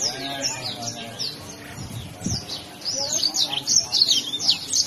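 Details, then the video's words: Yellow-fronted canary song, kept as a training recording for other songbirds: fast, high twittering with slurred and buzzy trilled notes, growing louder in the second half, over a faint low murmur of voices. "kicau burung mozambik gacor mantab buat masteran"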